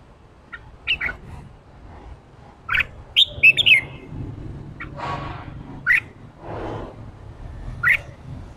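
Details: Wild-caught red-whiskered bulbul trained toward competitive ché song: scattered short whistled notes and one brisk twisting phrase, mixed with soft noisy rustles and a low background hum.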